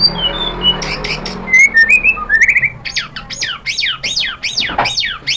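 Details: White-rumped shama song used as a lure for other shamas: varied whistles and short rising notes, then a quick series of sharp, steeply falling high sweeps repeated several times per second.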